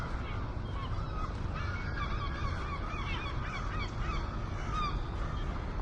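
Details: Seagulls in a noisy group, overlapping harsh, wavering calls with bent, slurred notes crowding one another throughout, over a steady low rumble of wind or surf.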